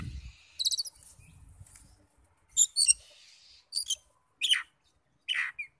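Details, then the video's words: Oriental magpie-robin sounds used to provoke other magpie-robins: widely spaced harsh, scratchy bursts and brief notes separated by quiet gaps, with faint low rumble at the start. "PANCINGAN NAIKAN EMOSI KACER 100% IKUT NYAUT NGEPLONG"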